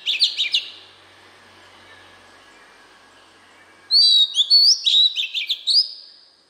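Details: Oriental magpie-robin in standard wild forest voice, used to provoke newly kept birds into singing: a short chirpy burst, nearly three seconds of low hiss, then a lively rush of whistles and clipped notes.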